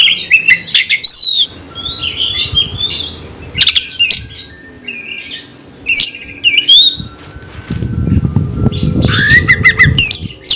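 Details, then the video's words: Kept Oriental magpie-robin singing to provoke rivals to fight: scattered bright whistles and chirp clusters separated by gaps, with a low rumbling background noise in the latter part. "Kacer gacor bongkar emosi dalam hitungan detik dijamin Kacer langsung tarung ngotot"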